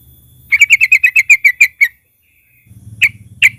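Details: Sooty-headed bulbul (trucukan) lure song: a crisp run of about ten bright, evenly spaced chirps, then a pause and two lone sharp notes over a low hum.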